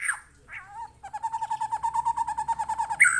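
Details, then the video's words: White-rumped shama responding to a lure recording: a short slurred whistle, then a rapid, even trill of pulsed notes at one mid pitch lasting about two seconds, ending in a bright high note. "Kicauannya gak ada remnya !!! Tonton sampai akhir video Murai Batu Gacor ini"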